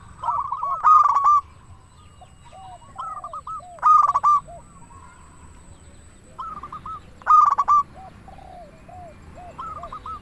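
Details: Zebra dove, local bird, singing to provoke caged doves to respond: loud clipped bursts of quick cooing notes followed by softer trailing coos, returning roughly every three seconds over faint background hiss.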